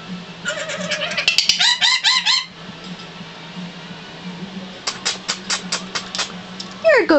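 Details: A newly adopted female black lory, about five years old, in her cage gives bursts of harsh, screechy, nasal calls in quick series, ending with a sharp falling squawk, over a steady low hum.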